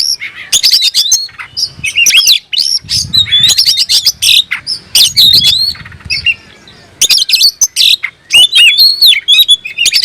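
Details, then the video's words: Oriental magpie-robin in full song as though searching for an opponent: loud, fast sequences of clear whistles, clicks and harsh buzzy notes, pausing mid-clip before resuming, with a little low rumble. "suara burung Kacer mencari musuh"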